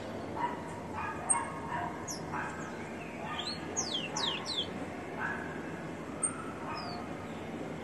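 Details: A caged, ringed rufous-collared sparrow sings briefly, giving quick, high, steeply falling whistled notes bunched together mid-clip, with scattered faint chirps and clicks before and after, over constant background noise.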